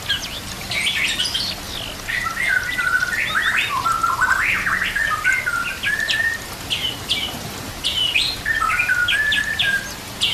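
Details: White-rumped shama song meant for training other shamas, set against nature sounds and trickling water: a dense, continuous run of rich warbled and slurred phrases, mixing clear whistles with harsher buzzy notes.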